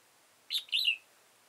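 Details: Red-whiskered bulbul, an old wild bird with a high crest and deep bib, trapped on 15 October 2018, gives one bright, quick phrase: a sharp chirp followed by a slurred, descending warble.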